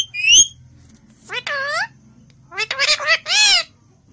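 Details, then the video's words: Indian ringneck parrot vocalising: a quick rising whistle, then several loud rasping speech-like syllables arched in pitch, clustered toward the end. "PARROT TALKING IN HINDI,PARROT WHISTLING 2017,INDIAN RINGNECK PARROT TALKING IN HINDI"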